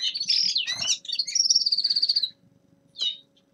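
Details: Winter warm-up song of a young male common linnet: a rapid chattering run that flows into a long buzzy trill of fast repeated notes, then silence and one short chirp.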